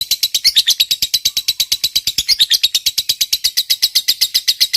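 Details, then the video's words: Lovebird of the fighter type giving long ngekek chatter, used as a lure for silent lovebirds: a fast, unbroken stream of shrill, scratchy notes, about three per second, held steady with no pauses. "Suara Burung Lovebird Ngekek Panjang"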